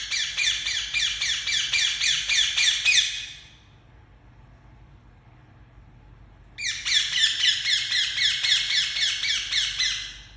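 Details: Pet Indian ringneck parakeet giving very loud chirping: a rapid run of harsh, ringing screeches about four per second for three seconds, a pause of near silence, then another fast burst of the same screeches.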